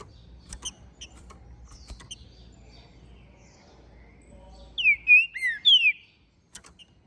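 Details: Captive-bred, ringed green-winged saltator of the trem bala line from Minas Gerais, singing a lot after its moult: a loud phrase of four slurred whistles, falling and rising, near the end, after soft scattered ticks and low background hum.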